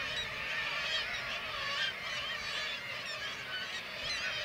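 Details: Kittiwake colony in Varangar, Norway, under attack by white-tailed eagles hunting chicks; loud, crowded, honking and wailing calls overlap constantly, and some rise and fall in pitch above the din.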